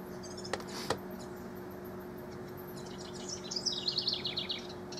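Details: Rival house wrens recorded June 12–24, 2015: a quick, bubbling burst of high, jumbled notes near the end, after two sharp clicks, over a steady low hum.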